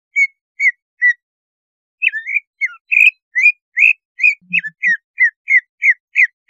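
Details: Cucak ijo song played to arouse breeding condition and rouse the bird: spaced whistles, then a brisk string of varied slurred notes, rising and falling, with a faint low thump midway.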